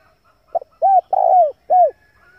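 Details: Male spotted dove, recorded as a lure for wild doves, gives one low cooing phrase: a brief soft note, an arched coo, a long rolling burred coo, then a falling arched coo. Faint distant chirps sit in the background.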